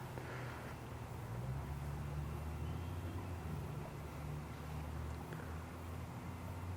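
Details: Steady low rumble of passing vehicles and engine drone fills an outdoor estuary scene, with no animal voices standing out.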